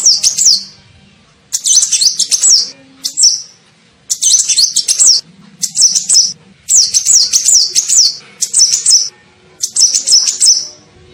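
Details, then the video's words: Sunbird lure call to attract birds, from an olive-backed sunbird called kolibri ninja locally: many brief, piercing twittered phrases of fast wavering notes, coming in steady succession with short silences between. "SUARA PIKAT KOLIBRI NINJA"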